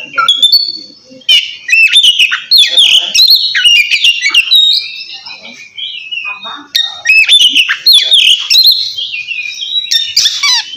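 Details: Oriental magpie-robin challenging a rival with ngeplong-style song, used to provoke reluctant birds into singing. Dense, rapid run of bright whistles, chips and slurred trills, almost nonstop, with one short quieter stretch midway.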